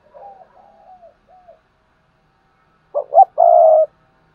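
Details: Decoy spotted dove calling so captive newcomers start cooing: soft sliding notes, a silent gap, then a loud phrase of two brief notes and a sustained low hoot.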